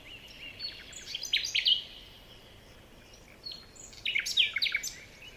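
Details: Birds chirping in a forest at morning, two bursts of bright, sharp, rapid chirps separated by a quiet pause of about two seconds, with faint distant twitters between.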